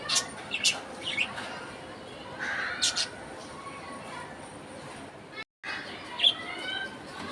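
Budgerigar chirping in quick, scratchy bursts, with bright warbled notes over a soft hiss.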